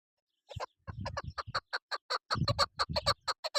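Chukar partridge giving a rapid series of harsh, clucking chuk notes, about two to three per second, building into a steady rhythmic chatter.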